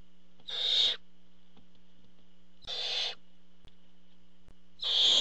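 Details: Barn owls at the nest when a parent brings food, three drawn-out hissing screeches about two seconds apart, the middle one quieter, against a faint constant hum.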